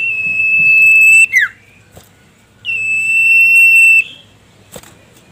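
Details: Common iora (cipoh sirtu) in a rival-calling song used to stir up caged birds. Two long, pure, level whistles, each over a second, the first ending in a quick falling twist, with faint clicks between.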